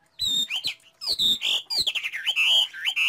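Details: Loud, close Chinese hwamei song: swooping high whistles broken by short harsh, noisy bursts, the phrases sliding sharply up and down.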